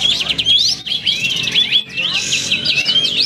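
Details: Kapas tembak (cotton bird) singing at a songbird contest in the main class, where it placed second: a fast stream of high whistled, slurred notes with rising and falling sweeps, with other birds singing alongside and faint voices.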